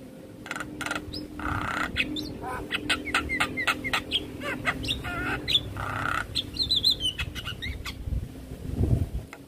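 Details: Javan myna in a stressed response to a fellow Javan myna's call: broken harsh rasps, clicks and brief whistled slurs, ending with a short warbled phrase, over a faint steady hum.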